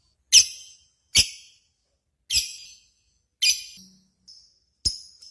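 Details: Lovebird contest lure audio: sharp, high, harsh chips spaced roughly one second apart, each fading quickly, with one short faint whistle between them.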